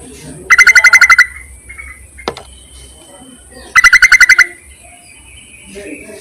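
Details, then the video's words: Yellow-vented bulbul luring call aimed at males: two loud, fast bursts of eight or nine bubbling notes each, about three seconds apart, separated by a brief click and quiet background. "BURUNG TERUCUKAN MEMANGGIL JANTAN COCOK JUGA UNTUK PIKATAN"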